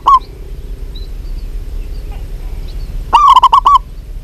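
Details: Local zebra dove, possibly a female calling a male: a single short coo, then after three seconds a full burst of six quick rolling coos, with faint high chirping from other birds in between.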